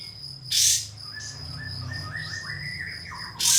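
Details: Pied fantail song used as a lure to call a rival and provoke another fantail into fanning its tail and singing. A series of clear whistled notes gently rising, two loud harsh bursts, and a steady high insect drone behind.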